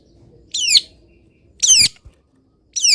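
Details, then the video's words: Long-tailed shrike in a cage, singing in morning sun after being misted; three harsh, buzzy, falling phrases about a second apart. "BURUNG CENDET SANGAT BAHAGIA KETIKA DI EMBUNKAN DAN KENA MATAHARI PAGI - CENDET GACOR FULL ISIAN"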